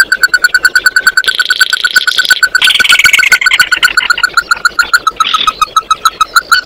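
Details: Oriental white-eye calling its flock with a steady fast series of clear mid-pitched notes, about two per second or more, overlaid by rasping chatter bursts partway through.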